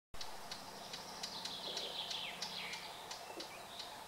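Red-backed shrike giving a run of high, scratchy chattering notes with short squeaky phrases, set against steady background hiss and a few clicks.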